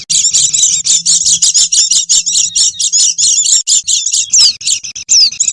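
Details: Oriental white-eyes calling noisily, used to lure wild birds: dense high twittering chips, then a few clear, downward-slurred thin whistles near the end, over a faint low steady tone.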